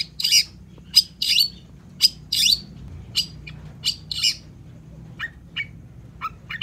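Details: Cendet (long-tailed shrike) singing as bait to make reluctant birds respond: loud rasping bursts roughly once a second, then softer, thin, high scratchy notes trailing off, over a quiet background.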